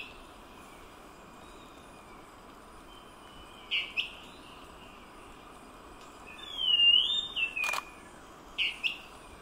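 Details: An elusive dwarf tyrant-manakin, perched and seen only with effort, gives its repetitive call: short, high, two-part whistled notes every couple of seconds, with one longer wavering phrase, over a steady background hiss.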